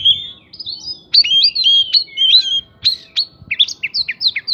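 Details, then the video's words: White-rumped shama song used to spur other birds into responding: rich, varied whistles and chirps, rapid twisting notes, ending with a string of short descending chips. "PANCINGAN KACER BIKIN EMOSI ISIAN PRINJAK BIKIN BURUNG LAIN CEPAT RESPON GACOR"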